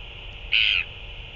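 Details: Northern royal albatross recorded on 9 February 2024 while two adults feed a chick; one short, harsh, nasal squawk lasting about a third of a second over a steady background hiss.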